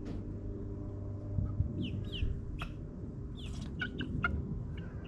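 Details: Backyard chicks in their ninth week, kept in a suburban run: scattered short chirps and soft clucks, some rising, others brief and sharp, over a steady low hum of distant engines.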